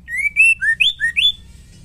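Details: Female white-rumped shama singing to provoke males: a quick, loud phrase of rich whistled notes, a long rising slur, then alternating low and high slurred whistles in rapid sequence.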